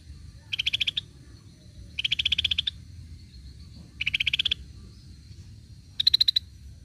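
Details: Lure recording of a Cream-vented bulbul. Four quick rattling bursts of bright, clipped high notes, each burst under a second, come roughly every one and a half to two seconds over a soft low rumble.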